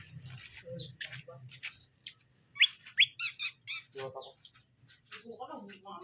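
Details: Caged male and female greater green leafbirds being paired so they get along quickly: a varied run of sharp chirps and whistled notes, some abrupt upward slurs, with lower buzzy fragments near the end and a faint hum beneath.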